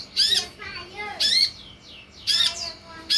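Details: Sunbird lure and tutor sound meant to draw a reply from other sunbirds: piercing high chirps about once a second, mixed with lower, softer warbled notes and brief rising whistles in the gaps.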